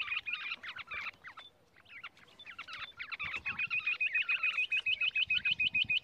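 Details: Rock bush quail (Perdicula argoondah), call.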